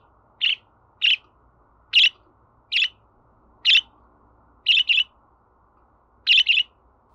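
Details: Budgerigar chirping steadily in crisp single notes, broken by occasional quick double chirps, spaced irregularly under a second apart, over a faint hum.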